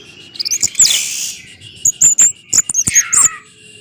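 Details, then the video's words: Orange-headed thrush 'gacor teler' lure song; a rushing burst of high notes followed by clipped, very high chips in quick pairs and a final downward slur. "ANIS MERAH Macet Bakalan Ikut NGeplong bahkan Teler Dengan Suara Ini, Kecuali ANIS MERAH Betina"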